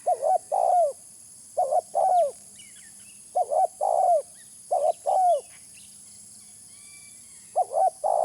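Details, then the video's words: Spotted dove lure call: repeated phrases of short paired coos and a drawn-out falling coo, a quiet gap of about two seconds midway, faint high chirps and a thin background hum. "Suara pikat terkukur original"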